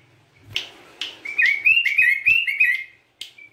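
Yellow-vented bulbul giving a quick, bubbly run of liquid chirping notes, mid-high and slightly rising, preceded by a few sharp clicks or taps.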